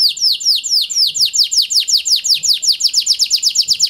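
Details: Kenari panda canary song used to coax silent canaries: a steady series of bright downward-sliding high notes, about five per second, clean and uninterrupted.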